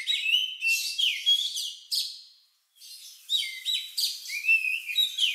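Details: Lovebird-like song of an Oriental magpie-robin, used to provoke other birds to sing. Short bursts of high buzzy chirps and downslurred whistles come in two runs separated by a short silence.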